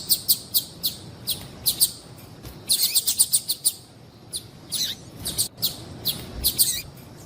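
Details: Calling female yellow-bellied seedeater: evenly spaced high tweets at the start, then a fast cluster of sharp chirps, followed by separate short notes and a few downslurred squeaky calls.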